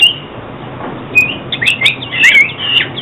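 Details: Oriental magpie-robin singing, a recording used for trapping and song training; quiet start, then a burst of bright twittering whistles and quick chirps in the final second and a half.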